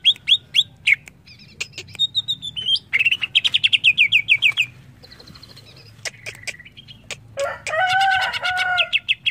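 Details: Varied greater green leafbird song for training young captive birds: spaced sharp chips, a long fast trill of descending notes, scattered clicks, then a rich layered warbling phrase at the end over a low steady hum.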